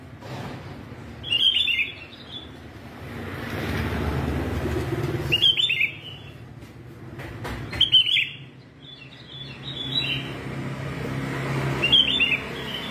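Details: Yellow-vented red-whiskered bulbul in a singing contest, singing fiercely all day: short bright warbled phrases every three to four seconds over a steady hum and passing traffic noise.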